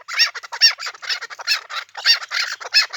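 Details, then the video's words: Chukar partridge, Pamir, heard as a raspy, high-pitched chattering of run-together notes rising and falling in loudness. "Кабки Помир"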